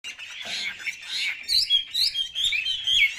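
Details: Caged Chinese hwamei kept as a pet songbird, singing: a short run of sweet, slurred whistled notes. It starts hushed and grows louder and brighter, with quick rising and falling flourishes in the second half.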